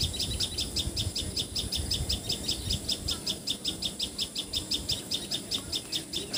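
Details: Common tailorbird from Assam, India, locally called patxhia sorai or tiposi sorai, delivering a long run of piercing, evenly spaced high chips at roughly two and a half per second against quiet rural background noise.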